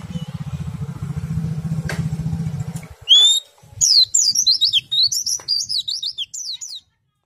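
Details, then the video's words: Oriental white-eye (pleci) song in the ngerol, ngriwik and nembak styles, used to stimulate other white-eyes to sing. A low motorcycle engine rumbles for about three seconds, then a rapid, high, twittering warble of zigzag, sliding notes runs for roughly three and a half seconds. "PLECI meriwik ngerol sambung nembak, sangat ampuh merangsang pleci ikut bunyi"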